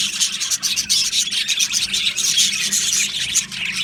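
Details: A breeding aviary colony of budgies singing together. Bright, whistly chirps and warbles from many birds overlap into a loud, unbroken chatter with brief dips.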